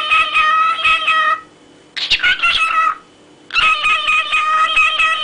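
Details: Pet parrot singing in rich harmonic, meow-like drawn-out phrases. A harsher, broken middle phrase sits between two long sustained notes, with short pauses between them.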